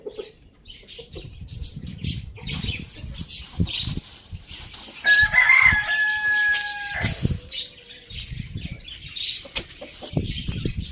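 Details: A rooster crows on a village farm, one drawn-out crow with a bright, sustained middle note lasting about two seconds, amid a busy background of scattered thumps, clatter and other bird chatter.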